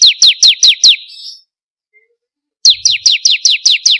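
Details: Bar-winged prinia (ciblek kristal) lure song for caged birds: five piercing downslurred chips, a silent gap over a second long, then eight more evenly repeated high chips.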